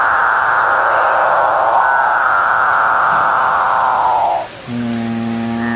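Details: A loud, steady synthetic drone holds for about four seconds, drops away, then gives way to a buzzy stacked tone; no animal voice is heard.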